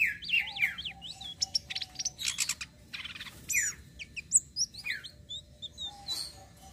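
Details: Flowerpecker singing a rolling song used to lure other birds: rapid high, thin chirps and sharp up-and-down sweeps, with dense clustered twitters through the middle and a faint low steady hum beneath.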